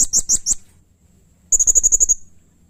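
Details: Serindit, the blue-crowned hanging parrot, singing in full voice for use as a master and prompt track: four shrill high chirps in quick succession, a pause, then a rapid run of about nine thin, piercing notes.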